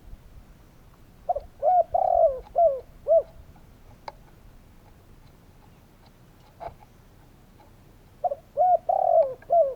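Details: Spotted dove calling: two separate phrases of low, hollow coos, each a quick run of about five mellow notes with a longer middle coo, with a quiet pause and a few faint clicks between them.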